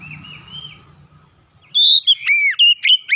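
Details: Oriental magpie-robin singing clearly as a lure for silent magpie-robins; after a soft distant whistle over low hum, a loud run of bright, arched whistles and quick slurred notes begins.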